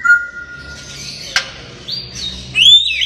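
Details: Pet grey parrot, described as playful and talking, whistling: a steady tone held briefly, a sharp click, then bright higher whistles rising and wavering near the end, indoors with low background hum.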